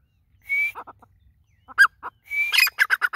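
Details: Grey francolin, known locally as dakhni teetar, calling: a short flat whistle and a few low clucks, then another whistle running into loud, harsh, harmonic notes repeated rapidly, several in half a second.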